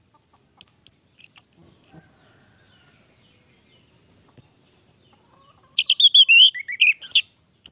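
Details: Orange-headed thrush singing energetically (gacor): short high chirps and twittering notes in scattered bursts, a pause, then a louder run of rapid varied whistled and buzzy notes near the end.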